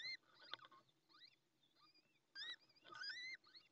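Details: Newly hatched Little Owl chick alone in the nest in Ávila, Spain, peeping nonstop after the female leaves; thin, rising, whining squeaks with ringing overtones, given in short bursts of about a third of a second, separated by quieter gaps.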